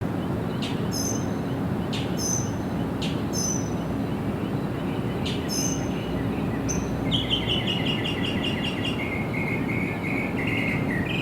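Sparrow chirps: short, sharp notes spaced about a second apart, then a quick run of bright twittering chirps, over a steady low hum of background noise.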